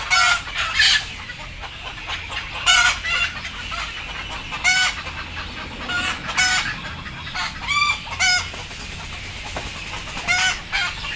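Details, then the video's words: A group of sleepy, frightened chickens before boarding keeps up frequent harsh squawks, often in quick pairs, about every two seconds, over continuous background chatter and hum. "Sound of sleepy Chicken"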